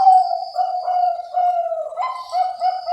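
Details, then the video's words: Zebra doves of the Bangkok type, recorded at breeding farms including one in Cilacap, Central Java: steady mellow cooing held at one low pitch with soft wavering pulses and a faint higher overtone. "SUARA PERKUTUT BANGKOK DARI BERBAGAI PETERNAK"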